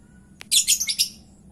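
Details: A rapid, harsh chattering burst of lovebird screeches, five or six quick squawks run together in under a second, from a lure recording meant to draw a reply.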